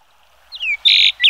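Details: Chinese (Yellow-billed) grosbeak, Eophona migratoria, call: a high slurred whistle sliding down, then a flat buzzy note and a short rising squeak, all within about a second.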